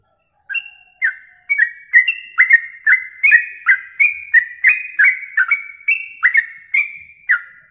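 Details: Masteran recording of a yellow-vented bulbul for contest training: a long run of quick whistled notes, around two to three per second, mixing flat and downward-slurred tones in a lively chattering sequence, clean with no other sounds.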